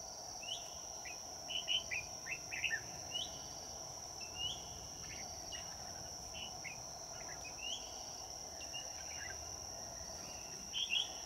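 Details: Red-whiskered bulbul used as a trapping decoy on a day turning cold, giving fighting song: scattered short chirped and slurred notes, some in quick clusters, over a loud steady high insect drone.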